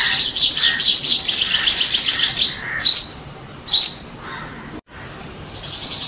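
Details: Black-throated Sunbird song serving as a lure: a rapid high buzzy trill of clicking notes for over two seconds, then two separate sharp rising chirps and a short gap before another trill starts.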